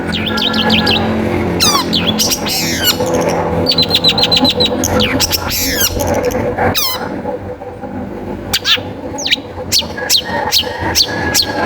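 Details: Long-tailed shrike song used to provoke other shrikes into singing: rapid runs of thin descending whistles, repeated chattering notes, then spaced sharp upward chips in the second half, over a low hum.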